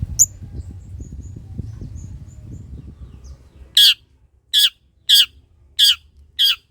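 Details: Long-tailed shrike harsh calls, from a recording meant to spur shrikes into song: after a quiet stretch with faint whistles and low rumbling, five loud grating screeches about every two-thirds of a second.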